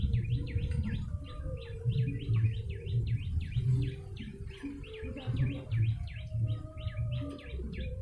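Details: A yellow-bellied prinia in full voice, recorded to attract other birds: tight clusters of sharp, downward-sweeping chirps run on continuously, accompanied by a faint steady tone and low background drone.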